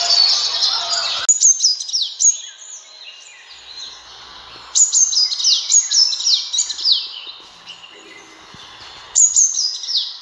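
A sunbird gives bursts of thin, very high, quick chirps and twittering notes in rapid runs, with brief pauses between phrases and a short hissy opening.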